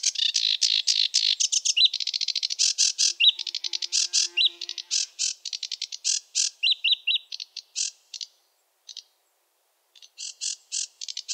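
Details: Male sedge warbler song from wetland territory, a rushed varied chatter of dry clicks and buzzy bursts mixed with short sweeter whistled notes, slowing into scattered phrases with pauses near the end.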